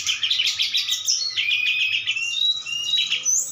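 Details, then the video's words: A Bali Brown-chested Jungle Flycatcher in mental training against a recorded mountain bird starts fighting back in song: a rapid, continuous run of high, varied whistles and chattering trills with brief sliding notes, and no other sounds. "srdc mulai melawan"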